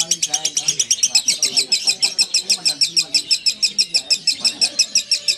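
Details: Lovebird ngekek, a long song: rapid, squeaky, metallic notes repeated at a fast even rhythm through the whole stretch, with a faint low murmur behind.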